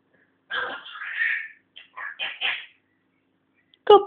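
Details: African grey parrot kept as a pet and learning to talk produces a string of hoarse, speech-like syllables, a long drawn first phrase then quicker choppy bits, ending with a sharp burst.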